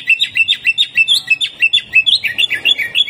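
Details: Greater green leafbird in hyper, energetic 'gacor' singing with harsh 'tembakan kasar' bursts, a 'jamtrok' style recording meant to warm up and train contest birds; a rapid chain of sharp, high chirping notes, about five per second, rising and falling.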